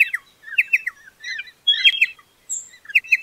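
Pardalote giving quick high chirps and short twittering phrases in bursts, with a thin whistled note partway through; no other sounds.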